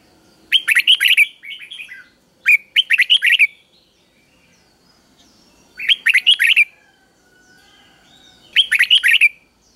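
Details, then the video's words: Easy three-syllable doubled song of a caged Red-whiskered bulbul, played to teach young birds. Four crisp warbling bursts at irregular intervals, each made of quick whistled notes, in an otherwise quiet setting. "เสียงนกกรงหัวจุกเบิ้ลเพลง3พยางค์ทั่วไปง่ายๆ สายนับดอกต้องหัดลูกนก"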